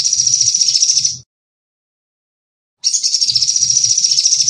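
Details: Energetic sunbird song: two long, very high, buzzy, rapidly pulsing trills separated by a pause of about a second and a half, with soft low murmuring underneath.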